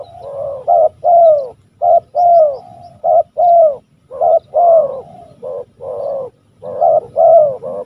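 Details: Loud, close spotted dove from West Java cooing rapidly, a dense string of burry notes, several with a falling slur, about one per second; faint high chirps from another bird.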